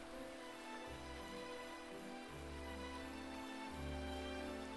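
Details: Soft, tender instrumental music with sustained low bass notes and steady mid-range tones, no animal calls audible.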